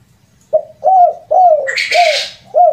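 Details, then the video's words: Close spotted dove phrase with the rare 'kuk 3' ending, prized as a lure call: mellow arched coos, one drawn-out note in the middle, with a brief rustling or flapping burst partway through. "SUARA PIKAT BURUNG TEKUKUR KUK 2 DAN KUK 3 //SUARA TEKUKUR KUK 3"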